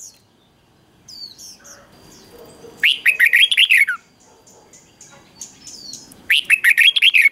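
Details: Caged Red-whiskered bulbul song meant for young birds to learn. Faint thin notes lead into two loud, bubbly warbled phrases of rapid rising and falling whistles, separated by a quiet pause.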